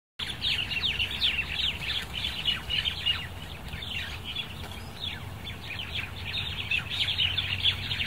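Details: At dusk, a flock of crested mynas keeps up a dense, restless chatter of sharp, squeaky chirps and harsh notes over a low rumble.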